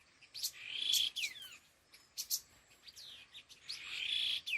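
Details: Calls of a khứu lùn laughingthrush in the đôi hung gọi đằng style, a strong level whistle with downward slurs, a pair of sharp chips midway, then a long sustained whistle.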